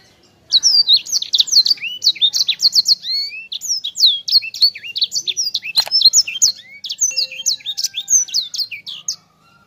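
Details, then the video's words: Sanger bird singing a lively, dense rolling song: rapid runs of high whistled, down-slurred notes and sharp chirps, packed closely together almost without pause for the whole stretch. "Suara Sanger Gacor Ngerol Enak Rapet"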